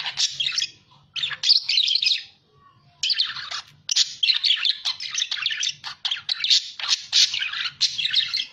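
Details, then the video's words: A budgerigar chatters in a fast, high, scratchy warble of clicks, squeaks and trills, in bursts with a short pause near the start. "SUARA BURUNG PARKIT GACOR"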